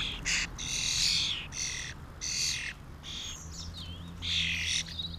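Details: Feeding on mealworms in 2016, a starling family mixes harsh screeching bursts with thin sliding whistles near the end, over a steady low hum.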